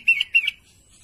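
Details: Sooty-headed bulbul calling to its companions, giving two short, bright, slightly wavering whistled notes in quick succession, then silence.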